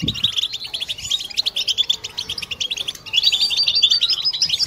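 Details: Several European goldfinches sing together in a collective chorus used to stimulate birds into mating song. Rapid, choppy bursts of bright chirps and twitters are separated by brief gaps, with a louder, busier stretch of song in the final second.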